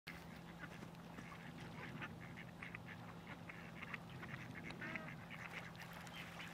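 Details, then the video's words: Mallards (Anas platyrhynchos) at Zbiljsko Lake on 28 November 2023 call in a busy chorus of overlapping nasal quacks and chatter, with a steady low hum beneath. "Anas platyrhynchos MLAKARICA"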